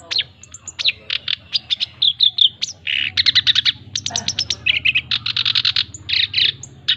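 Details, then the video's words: Energetic male black-browed reed warbler song for teaching and attracting other birds: scattered sharp ticks building into rapid grating trills and harsh buzzy churrs, phrases alternating quickly between dry chatter and rasping notes, low background hum. "Masteran Dan Pancingan Bunyi Burung Kerak Basi Alis hitam (SINCHAN) Jantan Gacor"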